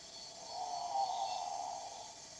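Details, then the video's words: A great potoo, a South and Central American bird known for its haunting cry, gives one drawn-out, harsh, moaning bawl lasting about a second and a half that swells and fades over a steady hiss. "For context, here is a snippet of vocalisations from the great potoo."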